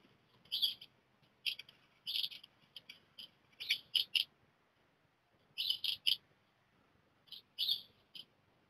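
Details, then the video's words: Black redstart chicks, numbers two to four of a brood of five, leaving the nest within a short time; short high chirping calls in clustered bursts, often two or three together, separated by pauses of about a second. "Hausrotschwanz-Küken Nummer 2, 3 und 4 fliegt aus"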